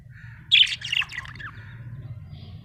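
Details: A happy budgerigar gives one short squawky burst of chirps that slides downward, then a faint whistle over a low hum.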